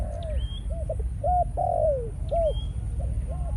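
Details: Malaysian-line decoy spotted dove in breeding mode: soft arched coos with one long sliding croo, while a thin rising whistle from another bird sounds twice above, steady low background hum.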